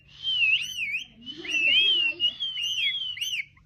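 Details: Pet parrot singing: continuous whistled warbling with swooping, wavering pitch in linked phrases, held for over three seconds with a brief pause near one second, over a low steady hum.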